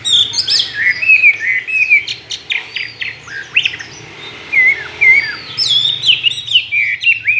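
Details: Chinese hwamei kept caged for two years and trained to sing many wild calls pours out rich, varied whistles, some slurred downward, others rising, in continuous phrases with a faint low hum behind.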